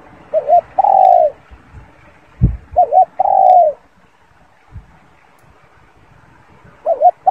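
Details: A spotted dove repeats its coo: a quick double note then a long mellow hoot, heard three times with pauses between, plus a soft thump and little else.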